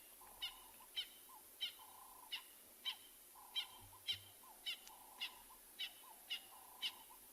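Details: On a still South African game-reserve morning, 25 July 2020, francolins call in a steady series of sharp, high notes about every half second. Short, flat, humming bursts sit lower between the calls.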